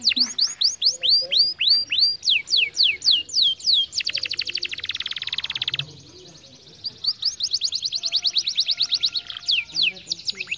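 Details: Canary song used to stimulate lazy canaries into singing: a long series of high, sharply down-slurred whistled notes, then a rapid buzzy trill for about two seconds, a brief pause, and more quick repeated sweeping notes.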